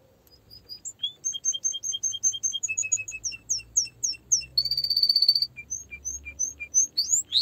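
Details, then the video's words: Canary song of quick repeated chirps and falling sweeps, a loud buzzy trill midway, then more chirps and rising whistles, over a faint low background hum. "Canary singing"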